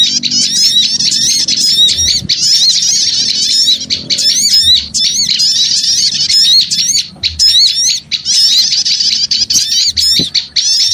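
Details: Small birds chattering noisily as a lure sound: dense, overlapping high chirps and rapid twittering trills pour out almost without pause, with only a few brief gaps near the end.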